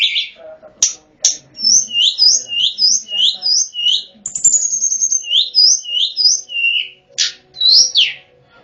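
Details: Lure song of a lesser shortwing for drawing in wild birds: a fast run of high, sweet, slurred whistles dipping and rising, a brief descending buzzy trill midway, and sharp buzzy notes near the end.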